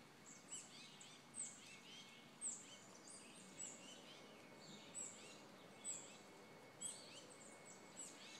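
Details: A Hairy Woodpecker in Glocester, Rhode Island, a frequent visitor in 2012, gives sharp, high single peek notes, about one every second, over a steady faint hiss and a thin constant background tone.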